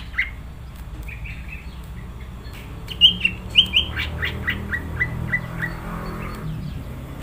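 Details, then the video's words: Greater green leafbird singing in a lively, vigorous style: a run of short whistled notes near the middle, several loud sharp slurred phrases in the second half, over a low steady hum. "Cucak ijo gacor"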